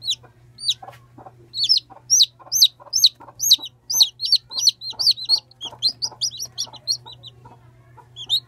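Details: One-day-old chicks peeping steadily, high thin downward-slurred notes tumbling out rapidly, about two or more per second, several birds overlapping, with a constant low electrical hum underneath.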